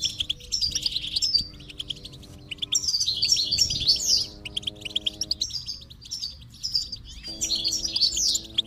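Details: Stimulation track of goldfinch singing meant to encourage a silent bird: dense, rapid high-pitched twitters in phrases of a few seconds with short pauses, and low sustained tones beneath.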